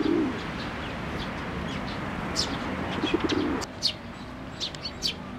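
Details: Chicks awaiting food from a parent bird, recorded 22 May 2024 at a Tenmangu shrine: scattered high chirps that grow more frequent toward the end, after a soft low noise at the start.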